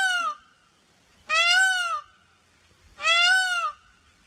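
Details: Peafowl, peacock and peahen, giving loud ringing nasal calls, three arched wails each about three-quarters of a second long, repeated roughly every one and a half seconds in a quiet setting.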